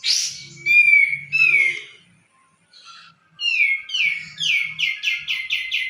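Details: Sooty-headed bulbul singing loud, clear whistled phrases: a few sliding notes, a short pause, then a fast run of bright downslurred whistles repeated several times per second, with a faint low rumble beneath.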